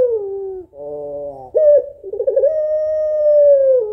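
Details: Female puter pelung (African collared dove) calling for the male in a sad tone: a falling coo, a nasal buzzy note, then a stuttering wavering start that smooths into a long steady drawn-out coo.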